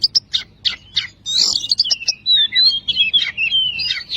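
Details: Kacer, the oriental magpie-robin, in a training song for lazy singers: a run of separate sharp chirps, then a scratchy burst and flowing sliding whistles, over faint low hum.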